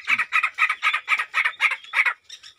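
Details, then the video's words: Harsh, ringing calls of a male grey francolin showing his power to a female. About eight loud notes are repeated steadily, roughly four each second, ending with a faint high note. "How Gray Francolin Find And Show His Power To Female Francolin By Making Call"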